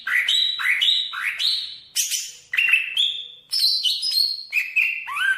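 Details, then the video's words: Greater green leafbird of the Banyuwangi variety giving a rich, varied song: repeated upward-sweeping whistles, a burst of harsh buzzy notes, then clear level and falling whistled phrases. "Suara Burung Cucak Ijo Banyuwangi variasi 1"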